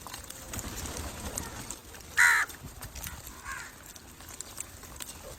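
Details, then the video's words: Crow calling to attract other crows: a single loud, harsh caw in the middle, then a fainter second caw about a second later, over a steady outdoor background hiss. "Crow call to attract crows"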